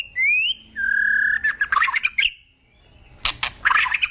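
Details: White-rumped shama, agitated: a rising whistle, a long level whistle, then harsh squawking notes, a pause and a burst of rough scratchy calls.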